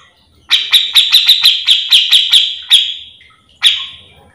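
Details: A Grey-cheeked Bulbul, recorded as a master song to train or provoke other birds of its kind, gives a rapid run of about a dozen sharp, high, emphatic notes, then pauses and adds one more.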